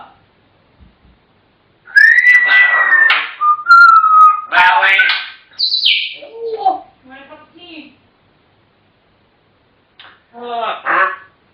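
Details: Pet African grey parrots talking: a level whistle followed by gabbled word-like syllables and a high squeaky note, then silence and a final short burst of chatter.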